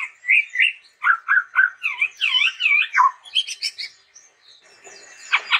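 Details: Chestnut-rumped babbler singing in lively gacor style: clear whistled notes near the middle range in quick rolling pairs, then wavering slurred phrases, a burst of higher chirps and a final buzzy rasping note.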